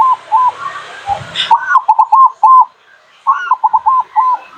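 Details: Zebra dove song used as a lure for local birds: a run of soft, rolling coos with rising-then-falling notes, repeated quickly in two bursts separated by a brief pause. A short low thump comes just before the second burst.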